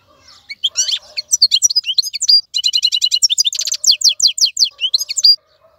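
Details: Wild-caught European goldfinch kept in a cage, singing without stopping: a fast, bright run of tinkling, high twittering notes, with rapid buzzy trills and liquid chirps in a steady stream for about five seconds, in a quiet setting.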